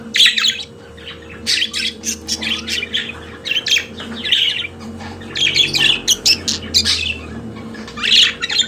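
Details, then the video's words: Pet budgerigars singing, a flock of birds heard together: bursts of scratchy chirps and squawky warbles come in clusters every second or so, with a steady low hum underneath. "Periquito Australiano de Estimação Cantando Som de Pássaros de Periquitos Naturais"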